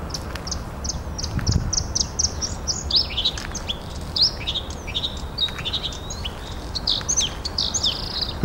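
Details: Bluethroat singing intensively nearby at a marshy city beach and park in late April, with machinery noise around: quick runs of high ringing notes, then mixed whistles and buzzy phrases over a low rumble of wind or handling noise.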